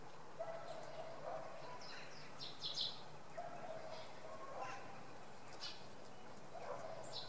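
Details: Sunday-morning common redpolls at Oksywie giving scattered quick high chirps and short clusters of notes, with lower tonal sounds and steady outdoor rumble underneath.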